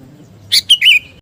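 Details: Single brief phrase from a sooty-headed bulbul of the kutilang garuda kind, singing gacor for fighting spirit: three fast, bright, liquid notes ending in a sliding whistle.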